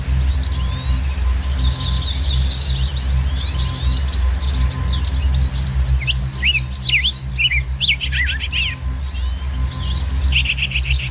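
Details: Oriental magpie-robin in an aviary singing varied, clear whistled phrases with rising and falling slurs and quick repeated notes, heard over a loud, steady low hum.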